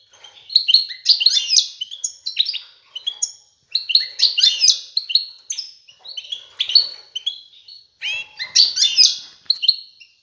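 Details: Courting male European goldfinch sings persistently at a female to encourage pairing and nest building, delivering lively liquid twitters, rattles and high chirping phrases in repeated bursts with brief gaps.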